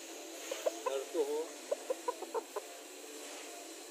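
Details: A Batik chicken gives a quick run of low, soft clucks, each note short and slightly nasal.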